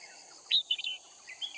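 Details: Red-whiskered bulbul decoy bird from Cao Phong singing during bulbul trapping at Kim Bôi, Hòa Bình, Vietnam; a short burst of bright warbled notes, one rising slur then a quick chattering phrase, over a steady high insect hiss.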